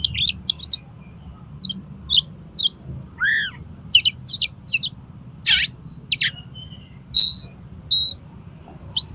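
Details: Oriental magpie-robin singing, a recording meant to tutor contest birds and provoke them to sing: scattered short chips, scratchy bursts and a few pure whistles, one low rising-falling note, spaced about a second apart.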